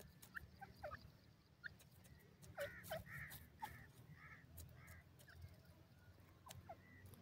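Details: Partridge (teetar) chicks calling: short, harmonic clucking notes, scattered at first and then in a quick cluster midway, over a constant low hum and faint clicks.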